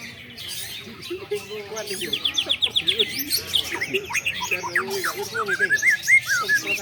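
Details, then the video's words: Long-tailed shrike singing at a joint training session for champion contest birds: a busy, varied song of rapid, repeated high chirps and slurred whistled notes, with other birds overlapping and low murmurs in the background. "LATBER CENDET DI TOMBO ATI BC || UNTUK MELATIH CENDET JAWARA (SINGING CONTEST FOR BIRD CHAMPION)"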